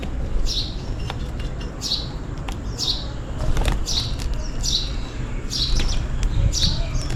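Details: Steady, roughly once-a-second sparrow chirps, short and high, from birds calling for food in the rain, over a dull background roar with faint ticking.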